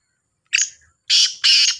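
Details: Black francolin, one of two birds in a calling contest, gives a short scratchy lead-in note followed after a pause by two loud, rasping, buzzy syllables in quick succession.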